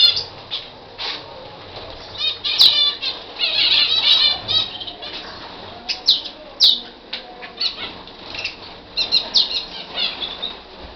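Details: Libyan canary in full song: long sequences of fast bright trills, rolling warbles and repeated chip notes, louder rolling passages alternating with quieter pauses, with a few sharp clicks.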